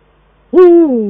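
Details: Eurasian eagle-owl, male and female dueting at the nest, Eifel, 22 December 2012: a sudden loud, hoarse call, steady at first and then gliding downward.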